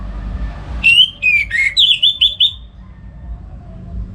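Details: Caged orange-headed thrush in northern Bali singing in the morning, used as a master for songbirds: a short phrase of falling whistles leading into four quick clear repeated notes, then quiet.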